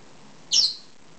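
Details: Two-year-old female pet lovebird calling indoors while wanting her head scratched: a single short, harsh, high-pitched squawk lasting about a quarter second, with a quiet room in the background.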